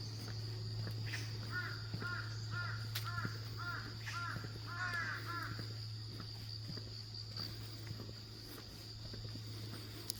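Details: Crow on a forest walking trail on a cool early-autumn morning, where crows are heard every morning: a quick run of about eight harsh, arched caws in four seconds, over a steady low hum and a thin high whine.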